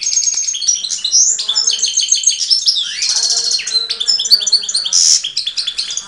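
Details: Hand-reared goldfinch hybrid, recorded in 2013 singing right up close, delivers a fast, jangling twitter of high, tinkling notes, buzzy trills and brief rattled phrases that run almost without pause.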